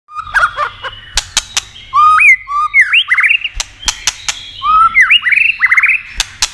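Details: White-rumped shama song played to stimulate and excite other shamas: loud rising whistles ending in rapid slurred trills, mixed with sharp clicking snaps and brief high chips.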